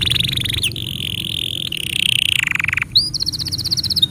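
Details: Tutor song for young canaries and canaries that have stopped singing: sustained buzzy high rolls changing pitch step by step, a descending rattling trill, then a bright rapid pulsed roll.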